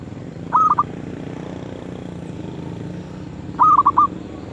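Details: Zebra dove with a medium-pitched voice delivering two short trilled coo phrases of quick pulsed notes, about three seconds apart, over a low steady hum.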